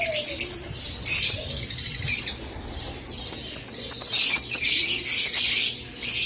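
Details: Rosy-faced lovebirds chattering, sound used to stimulate breeding: rapid shrill squeaks and scratchy twitters in uneven bursts, swelling loudest near the end, with faint low background hum.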